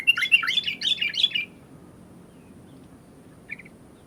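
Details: Sooty-headed bulbul singing actively: a quick burst of bright, bubbly whistled notes repeated rapidly for about a second and a half, then near silence with one short faint chirp later, over a soft low background hum.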